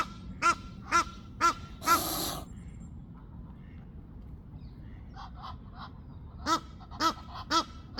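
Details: A greylag goose (male) gives short nasal honks about twice a second, then a rough hissing burst; fainter goose calls, Egyptian geese in the background that he ignores, follow before the honking resumes.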